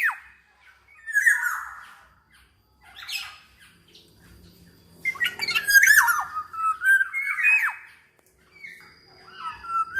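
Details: Black-naped oriole in lively full song, used to prompt other orioles to sing: loud whistled and harsh squawking phrases around mid pitch, with sliding notes and short gaps between bursts.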